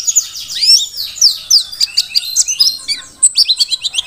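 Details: Wild-caught Merapi mountain white-eye in full song, a fast, tumbling stream of high, thin slurred whistles and sharp ticking notes, briefly pausing before a final burst.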